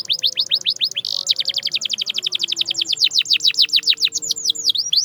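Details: Canary song used to get silent canaries singing: a steady rapid trill of short downward-slurred notes, about four per second, broken briefly by a buzzy burst, ending in wider swooping whistles.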